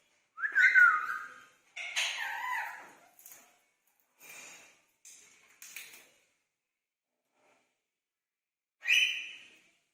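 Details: Pet Indian ringneck parakeets exchanging greetings: a loud whistled speech-like phrase, then softer breathy syllables, a pause, and one final squawky word.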